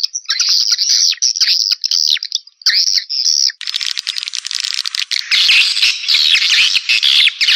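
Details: Swiftlet lure call used to attract swiftlets, 2021: dense, high twittering chirps. Midway the sound abruptly becomes thinner and brighter, with a harsher, scratchier chatter.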